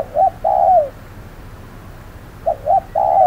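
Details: Spotted dove used as a decoy during trapping on a hot noon, facing a wary wild dove; mellow low coos in short-then-long groups, a brief note followed by a drawn-out falling coo, two phrases separated by a pause.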